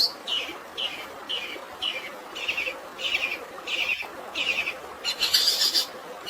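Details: Long-tailed shrike in fighting song with sparrow-imitation filling, against natural water sound: harsh chirps repeated roughly every half second, ending in a denser, higher chattering burst, over steady rushing noise.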